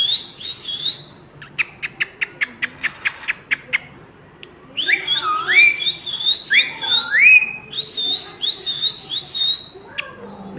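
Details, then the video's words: Ring-necked parakeet, described as talking, producing rapid clicks, then a run of looping, swooping whistles that rise and fall, with squawky notes toward the end. "Ring Neck Parrot 🦜 Talking"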